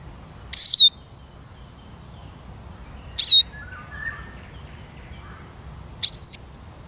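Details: Eurasian siskin repeating a high, thin note roughly every two and a half seconds, each bending up then sliding down. Faint, lower whistles from another bird are heard in the background.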